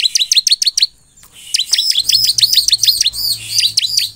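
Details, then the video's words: Bar-winged prinia (ciblek) singing hard, used to get other ciblek to answer: quick string of piercing downslurred chips, a short gap, then a dense, rapid chattering run of high notes with a faint low hum beneath. "SUARA CIBLEK GACOR INI Di jamin semua CIBLEK Bakal langsung merespon"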